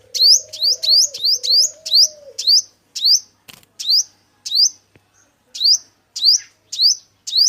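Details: Male sunbird in a 2022 trapping-lure recording: fast bursts of high rising chirps that become more spaced out and uneven midway, with a brief low cooing tone near the start.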